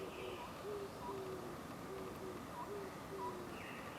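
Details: An Oriental scops owl hoots from a tree branch at the Suchon-ri tombs, Gongju, South Korea, at 09:17 on 24 April 2025, giving short, low, soft notes about every half second to a second over steady background hiss.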